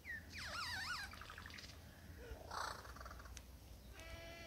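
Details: Male superb lyrebird in the Dandenongs courting a female with a varied repertoire of songs and mimicked sounds; wavering whistled phrases, a brief harsh burst and a buzzy rattle over low rumbling background noise.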